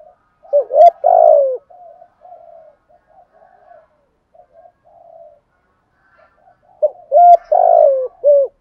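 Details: Spotted dove performing a set 'thúc gù' and 'gáy gọi' cooing routine: two loud bursts of deep, throaty, falling coos open and close the clip, with soft, low, murmured coos trailing between them in a quiet setting.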